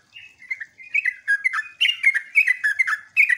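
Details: Sooty-headed bulbul lure song used to make other bulbuls answer, sung in the jogjog, ngeropel, ngecruk and nembak styles. Bubbly, chattering whistled phrases, sliding and warbling, come in quick bursts about every quarter second with no other sounds.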